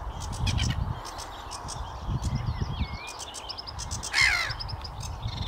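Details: A sedge warbler sings at Watermead Country Park on 8 May 2022: rapid, scratchy chatter with harsh grating notes and a brief rising whistle, partly masked by steady low wind rumble.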